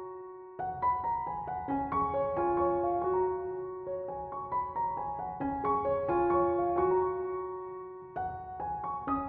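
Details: Gentle piano music, chords and a slow melody, with no birdsong or other animal sound.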